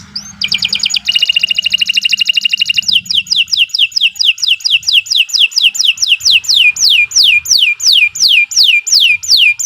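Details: Canary performing long gacor song: a thin whistle, a fast rattling trill, then an extended steady series of loud down-slurred whistles, roughly two per second.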